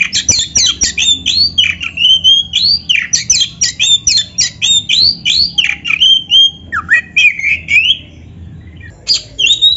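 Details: Oriental magpie-robin song meant to make caged birds answer and sing: long fast sequence of loud swooping whistles and chattering notes, steadily repeated for about eight seconds before a short gap and a final phrase.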